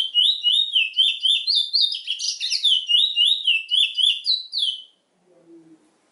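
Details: Chestnut-bellied seed finch, known in Trinidad as bullfinch, delivering a rapid, continuous warbling song of sweet slurred whistles, about four notes per second, lasting roughly five seconds before stopping; a faint low sound follows.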